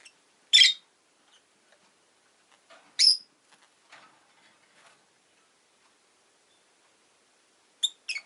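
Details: Rosy-faced lovebirds kept as pets, two new birds recently joined, uttering harsh high-pitched shrieking chirps spaced a few seconds apart, with faint clicks between calls in a quiet room.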